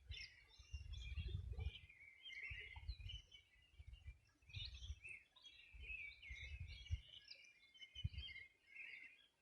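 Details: Chorus of birds at the Río Bueno riverbank, Los Ríos Region, summer morning 2020: dense overlapping chirps and twitters from several birds, with repeated gusts of low rumbling noise.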